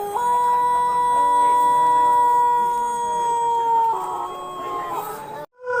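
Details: Crowing Pelung chicken from Plered, Purwakarta Regency, holding a loud, pure, level note for about four seconds before it breaks into a rougher, wavering lower ending, then cuts off abruptly.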